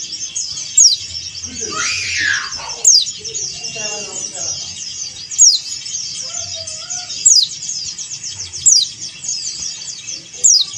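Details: Male Bali yellow-breasted white-eye calling to a rival, repeating a sharp, high, falling note six times at intervals of roughly two seconds; continuous high-pitched chatter of many birds behind, with a brief rustling burst early on.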